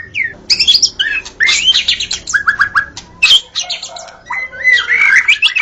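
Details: White-rumped shama, recorded in the forest and described as singing vigorously, gives varied whistled phrases: rising and falling notes, short rapid chip runs, and warbled slurs separated by brief pauses.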